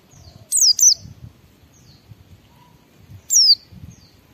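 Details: White-eye in ngalas singing style, meant to stimulate other white-eyes to sing: two high descending whistled notes, a pause, then one more, with faint soft notes and a low rumbling background.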